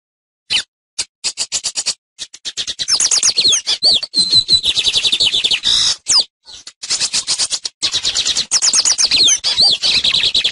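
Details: Lined seedeater teaching song: dense, rapid strings of repeated sharp notes and slurred whistles, delivered in long bursts with short gaps, starting with scattered clicks.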